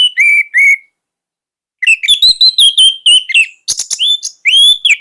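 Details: Orange-headed thrush (anis merah) in captivity, a song tutor for juveniles: two low whistles, a pause, then a lively string of varied slurred and buzzy notes and a final rising whistle.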